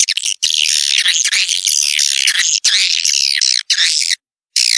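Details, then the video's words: Call for luring young swiftlets into a new building, 2021: almost continuous shrill, rich twittering and chattering with rising and falling warbles, one brief silence near the end. "suara walet terbaru 2021"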